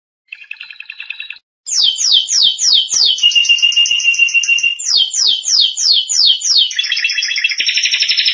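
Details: Canary training song for young birds: a soft short rattle, a brief gap, then loud repeated sweeping notes, a lower trill, more swept phrases and a final rich, buzzy rapid roll.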